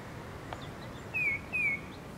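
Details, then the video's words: Spring call of a tufted titmouse, a battle-worn male that follows a person around: two clear, slightly downslurred whistled notes in quick succession, with low background hum. "Tufted Titmouse spring call"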